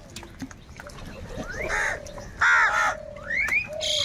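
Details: Crows in a huge gathering fighting for food: rising upslurred notes lead into loud, harsh, hoarse caws, with a constant background of chattering birds.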